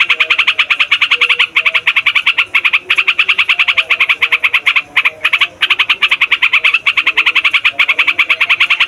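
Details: Yellow-vented Bulbul, trucukan, singing a loud continuous rolling song meant to lure wild birds and tutor young males and females: fast, evenly pulsed chirpy notes pouring on without break apart from two brief gaps.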